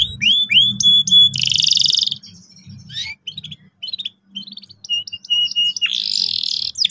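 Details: Canary singing as a lure for young birds learning to roll: clean whistled notes, a buzzy rattling trill, scattered chips, then further whistles and another buzzy burst.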